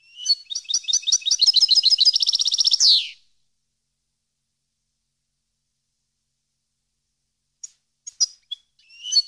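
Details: European goldfinch training song for captive birds: a three-second burst of sharp twitters racing into a dense trill and a buzzy closing note, then long silence broken by a few scattered chirps.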